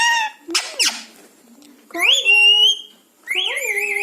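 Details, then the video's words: Indoor pet parrot that says 'Mumma', 'Maa' and 'Ha', whistles and replies to its owner: harsh squawked syllables, then a long level whistle and a second rising-falling tonal note, with a small-room echo. "Parrot says Mumma Maa & Ha"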